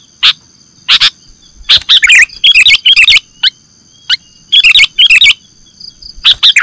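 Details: Sooty-headed bulbul call played as a lure for trapping birds: isolated sharp chirps, then bursts of three or four quick bubbly notes, separated by short silences, over a thin constant high hum.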